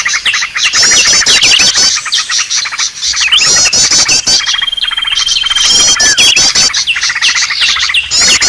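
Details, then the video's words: Green leafbird, a noisy call used to lure wild birds: bursts of rapid, harsh chattering and buzzy high trills with fast rising and falling notes, in loud clusters broken by brief pauses, with sharp clicking notes mixed in. "suara burung ribut"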